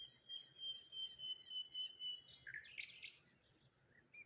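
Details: Morning birdsong recorded by water near rose hips and a lone tree: a thin, steady high whistle holds for two seconds, then a burst of quick, tangled chirps, all faint over a soft outdoor hum.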